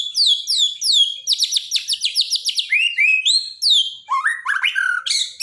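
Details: Borneo white-rumped shama in daily training song for shamas that stopped singing. High falling whistles repeat rapidly, then shift into lower slurred notes and a closing burst of buzzy trills.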